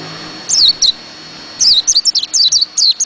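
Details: White-eye with a short pair of high descending notes, then a longer lively phrase of rapid, thin, slurred chirps that runs to the end.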